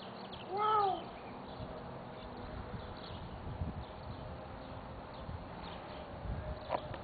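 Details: Captive-bred hyacinth macaw, hand-raised from incubation, that squawks for attention from passing friendly people, gives one loud, arched squawk rising and falling in about half a second, then quiet room noise and a few soft thumps.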